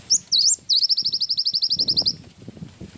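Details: Lively cinereous tit with a wingko fill. Two quick upswept whistles lead into a long, fast trill of about twenty high, sharp notes lasting over a second, with soft low noise behind.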